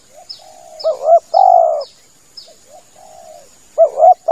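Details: Hunting lure of a male spotted dove: soft distant coos, then a loud double arched note and a long rolling coo, more quiet coos, and another arched note; high chirps of small birds throughout.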